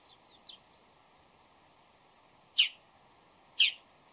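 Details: Bull-headed shrike calling before dawn: a few soft, high, squeaky notes, then after a pause two loud, harsh, rasping calls about a second apart, with faint background hiss.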